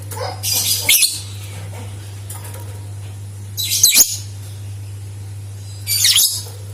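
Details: Shrill chattering of a lovebird, used as a lure for other lovebirds to sing: three loud, buzzy, high screechy bursts separated by quiet gaps, with a low steady hum throughout.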